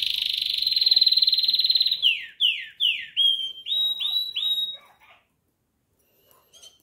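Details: Singing pet canary: a loud, fast-pulsed trill held for two seconds, then a series of about seven separate whistled notes, first sliding down, then rising, before silence.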